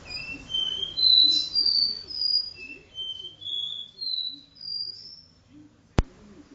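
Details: Caboclinho performing its vibrasom do-re-mi song inside a room, delivering about a dozen clean whistled notes in a steady rising and falling run, each note brief and separated by short pauses, ending with a single click.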